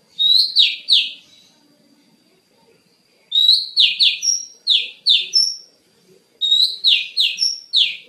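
Oriental magpie-robin singing loud, sweet whistled phrases of three to six sharp notes, each burst coming about every three seconds over a faint steady high tone.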